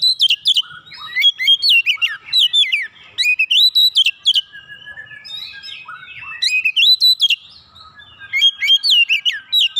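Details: Oriental magpie-robin in full song meant to provoke other magpie-robins into singing, with loud varied whistled phrases, rising and falling notes and sharp chips in bursts, separated by short softer pauses and a faint steady whistle.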